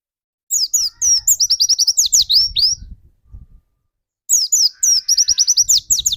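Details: Caged dakun white-eye singing vigorously, used as a lure to get other white-eyes singing quickly: two bursts of rapid, high, thin chirps and sliding whistled notes, interrupted by a brief pause, with faint low background rumble.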